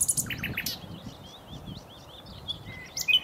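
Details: A common nightingale sings a few rapid harsh notes, then a soft series of quiet downslurred whistles, ending with a louder sharp whistle and high chirp.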